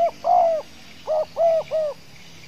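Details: Spotted dove, a 'gagap' (stuttering) style contest singer in Riau, Indonesia, at its first competition; low, hollow cooing notes: one short coo, a longer drawn coo, a pause, then three rounded coos in quick succession.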